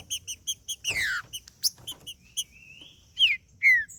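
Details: Macheando song of a green-winged saltator, played to warm up another bird: evenly spaced high chips, a long falling buzzy sweep, a drawn-out rising whistle and two loud descending whistled notes at the end.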